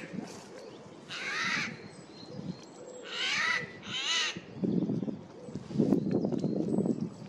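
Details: Eurasian jay heard loudly in a forest on 15 April 2024 while flying from one tree to another; three harsh, rasping screeches, the last two close together, followed by low rumbling and rustling noises.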